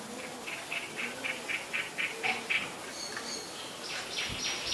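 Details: A common myna in Ubon Ratchathani, Thailand, on 7 May 2022 gives a quick run of short, even notes, about four a second, then higher, squeakier and harsher phrases to finish.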